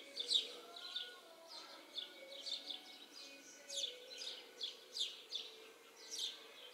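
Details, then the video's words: House sparrows in a yard tree giving short, bright chirps about twice a second in loose, irregular bursts, with faint background chatter and low hum. "house sparrow - Ο Σπιτοσπουργίτης"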